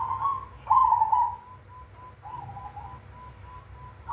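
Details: Singing zebra dove of cemani type with the big 'kung' sound: loud vibrant coo, a string of soft ticking notes, a second lower coo, more soft notes, then a new phrase starting.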